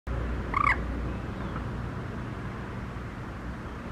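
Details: A common moorhen at Cisano, Lake Garda, Italy, on 23 February 2023 gives one short, abrupt call with a quick up-and-down inflection; a steady low rumble, likely distant traffic or wind, fills the rest.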